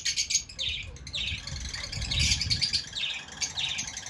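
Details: Fischer's lovebirds chattering in shrill buzzy notes repeated roughly every half second, over a steady low background rumble.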